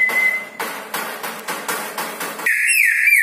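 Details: At night, a red-breasted parakeet gives a thin whistle, then a series of harsh rasping notes repeated about three times a second, then a loud, bright warbling whistle.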